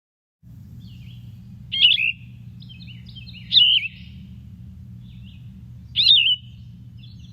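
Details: Yellow-throated Vireo song, played for contrast with red-eyed vireo: short, burry slurred phrases every two seconds or so, raspier, lower-pitched and more drawn out, with softer notes between, over a steady low hum.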